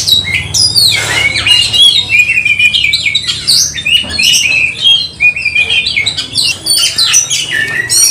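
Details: Oriental magpie-robin fighting and singing to heighten emotion: varied, rapid chattering song of sliding whistles, rasping bursts and sharp chips about three per second, with a low hum behind.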